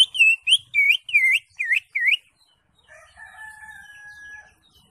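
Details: Green leafbird kept in a cage, singing continuously: six bright, looping whistles that dip and rise, given in a quick regular run. A faint steady humming tone follows after the song stops.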